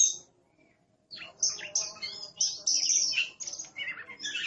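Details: Oriental magpie-robin, called aggressive, delivering high scratchy chattering song after a short pause, dense bursts of chirps and buzzy notes about three to four per second, with a faint low hum beneath.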